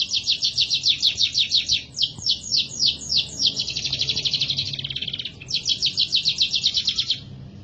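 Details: Canary song used as a master recording for training other birds: rapid repeated high trills at about three notes per second, shifting into a fast buzzy rolling passage, then returning to bright repeated syllables.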